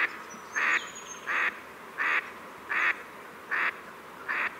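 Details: Pacific black duck giving six loud, harsh, evenly spaced quacks, one roughly every 0.75 seconds, each lasting about a quarter second, over a steady faint background hiss.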